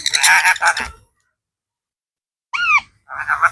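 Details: Blue talking parrot calling "Mithu Mithu" indoors: a burst of speech-like, harmonic chatter for about a second, silence, then a loud arched whistled note rising and falling, followed by more raspy talk-like sounds.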